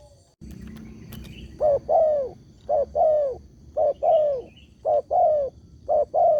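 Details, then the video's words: Spotted dove call played to draw answers from other doves: five rhythmic pairs of soft coos, a brief note then a drawn-out falling one, about once a second over a steady low rumble. "SEMUA BURUNG TEKUKUR PASTI NYAUT DENGAN SUARA INI"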